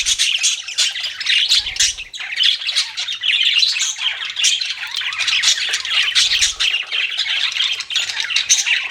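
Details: Pet budgerigars keep up a continuous high, scratchy chatter of rapid squawks and chirps with barely a pause, a few low thuds underneath.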